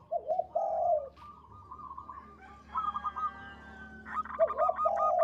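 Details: Singing local zebra dove, voice called big, long and melodious: a deep rolling two-part coo, then soft fluttering notes, ending with another deep coo and a burst of rapid higher notes.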